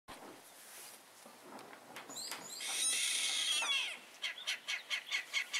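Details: Songbird that sang every morning at Capilla del Monte, Córdoba, Argentina: a varied song that swells into a buzzy, rich phrase, then ends in a string of six quick, clear repeated notes.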